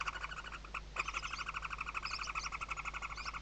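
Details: Western barn owl chicks beneath their mother's wings in a webcam nest, Riet Vell Nature Reserve, Ebro Delta, Spain, 2023 season: continuous fast ticking chatter of stacked harmonic notes, roughly three per second, with faint high squeaks above and steady electrical hum.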